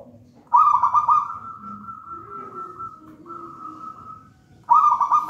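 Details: Singing zebra dove of local wild stock, found in a pisang raja banana plant nest: stuttering rolled coos drawn into a long, level purr, then a fresh phrase beginning about four seconds later.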